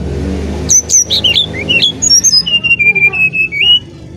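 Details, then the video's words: Brown-chested jungle flycatcher from Bali singing for luring other birds: quick twisting chirps, then a run of clear whistled notes held at one steady pitch, over a low background hum. "Burung Sikatan Rimba Dada Coklat Bali Gacor Nyuling Untuk Pancingan SRDC"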